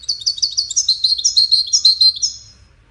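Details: Wild European goldfinch in a five-bird song contest produces a steady, rapid string of bright, high twitters and short slurred notes for over two seconds, fading out at the end.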